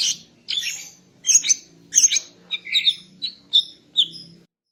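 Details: Morning song of a female greater green leafbird used to bring a male into breeding mood; a series of high chirps and whistles repeated roughly every half second, over a faint low hum.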